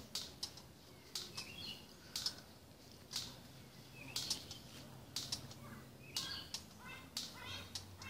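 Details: An adult Burchell's coucal in a garden, upset and guarding a fluffy chick nearby from a person and dogs, gives harsh clucks about once a second, some rasping; the clicking is an electric fence; faint low hum.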